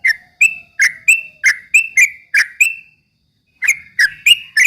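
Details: Yellow-vented bulbul 'ropel' song, meant to provoke rival birds; clean, sharp chirps about three per second, a one-second gap, then the series resumes with no other sounds.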